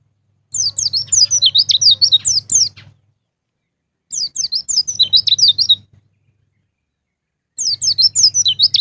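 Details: White-eye song used to prompt caged birds to sing, in the long, wild-sounding ngalas ngeplong style: rapid bursts of high, thin chirping notes lasting about two and a half seconds, repeated every four seconds over a faint low hum.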